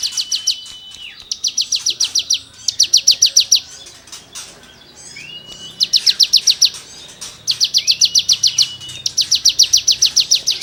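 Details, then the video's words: Energetic cigun song with rasping material, used to tutor songbirds: repeated bursts of about eight fast high buzzy notes each, broken by short gaps and an occasional sliding whistle. "CIGUNG GACOR FUL NEMBAK MATERI GESEKAN BURUNG KICAU"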